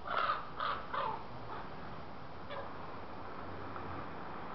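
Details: Common raven in Iceland giving three hoarse, harsh croaks in quick succession within the first second, followed by a fainter fourth croak, over a steady low background rumble.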